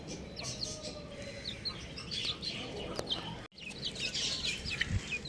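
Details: Young chickens chirping in a group: bright, short high peeps in quick succession, briefly cut by a moment of silence before the chorus resumes over low background rustle.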